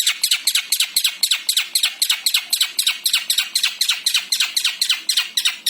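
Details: Javan long-tailed shrike delivering a full varied song: a fast, unbroken stream of sharp, high downward-sweeping notes, about four per second.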